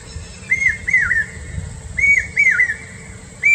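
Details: A common hawk-cuckoo (brain fever bird, papeeha) of South Asia gives shrill, clear whistles in quick pairs, each note swelling up and then dropping, over a low steady hum.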